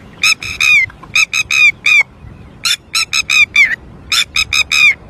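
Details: A red-wattled lapwing calls loudly on losing its chick, with harsh, piercing notes in uneven bursts, several ending in a downslurred wail, and a brief quiet gap near the middle over faint background noise.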